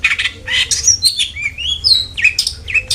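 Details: Long-tailed shrike song played as a lure to get caged birds singing: a few harsh raspy bursts followed by clear whistled slurs sliding up and down, then more scratchy notes, over a faint low hum.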